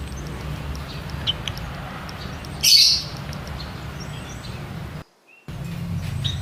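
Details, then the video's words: A White-headed munia (Lonchura maja) gives one brief, thin, high-pitched call, with a few faint chirps around it, over a low background hum. "MAYA / WHITE HEADED MUNIA SOUND EFFECT"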